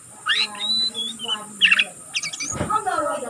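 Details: A few scattered notes from a young oriental magpie-robin practising song: a rising whistle, a flat held tone, a buzzy burst and a rasping chatter, with a faint low drone behind.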